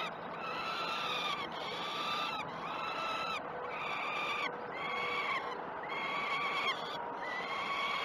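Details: Peregrine falcon chicks at a nest, wild, begging during one of the first two feeds of the day at Great Spirit Bluff, 12 June 2018: loud harmonic wailing calls about a second long, repeated almost continuously in a steady chorus.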